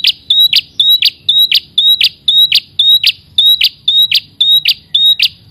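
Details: A red-headed prinia (prenjak kepala merah) calls energetically toward a rival. Steady, rapid series of high clear whistles, each snapping into a dry buzzy burst, about two per second without a break.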